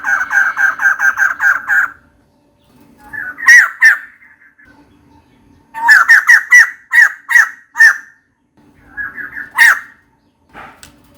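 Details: Female white-crested laughingthrush calling for a mate: a fast run of seven harsh, rasping notes, then pauses and bursts of loud chattering squawks with softer churring notes between them.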